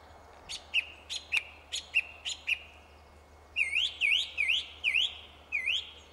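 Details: Song thrush in a tree singing two repeated motifs: first five short sharp notes spaced about a third of a second apart, then five rising whistled slurs in a row.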